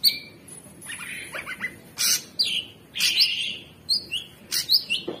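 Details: Captive Orange-bellied Leafbird, offered as a long nonstop training song, gives loud clear whistles sliding up and down, mixed with sharp upward-flicked notes and short chattering bursts, with a thin sustained high tone early on.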